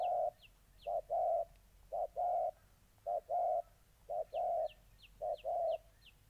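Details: Molting decoy spotted dove confronting a fight-eager wild-caught bird in Gia Lai, Vietnam, on 14 August 2020. Steady low coos in short-long pairs, nearly one pair per second, with faint thin high chirps in the background.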